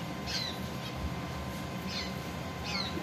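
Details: A pet zebra finch, one of a pair building nests, gives three short, nasal, downslurred calls about a second apart, over a steady low hum.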